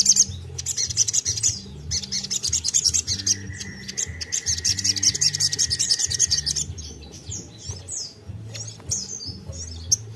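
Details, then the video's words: Lively sogon song meant to prompt other sogon into singing: a dense, fast chatter of high twittering notes running for seconds, then scattered chirps, with a sustained tone and low music behind. "Tembakan sogon gacor bagus untuk pancing sogon bahan"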